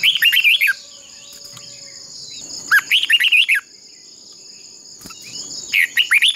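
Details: Three fast phrases of red-whiskered bulbul song, each about a second of loud rippling whistles, come roughly every two and a half seconds. The decoy bird is singing in contest style to train and excite other birds, with a steady high-pitched hum behind it.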